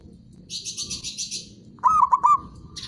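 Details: Local zebra dove song used as a stimulator for silent or reluctant doves: one short, staccato, bubbling coo phrase of about four quick notes, with bursts of high buzzy chirping from other birds before and after.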